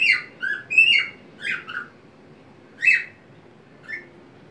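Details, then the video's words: Singing white-faced cockatiel on a homemade swing in a small box, moving to its tune with wings spread; rapid whistled bursts at first, then single spaced whistled notes, in a quiet room. "minha calopsita cantando em seu balanço caseiro"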